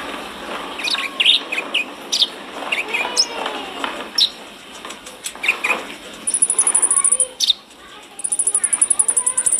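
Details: Konin singing energetically as a training recording for caged birds: scattered sharp chirps and short whistled notes, then two long, very high, rapid buzzy trills near the end.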